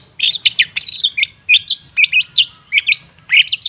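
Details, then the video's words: Long-tailed shrike, or cendet, singing in a lure recording for birds that have stopped singing: a lively run of sharp chirps, upslurred whistles and short warbled phrases, closely spaced with brief gaps. "Suara TERAPI pancingan cendet macet supaya rajin bunyi..!!!"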